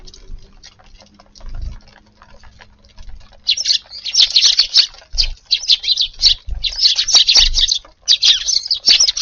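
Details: Garden sparrows at their midday meal on a warm February 10th. Quiet at first, then a dense run of sharp, high chirps and twitters that overlap almost without pause.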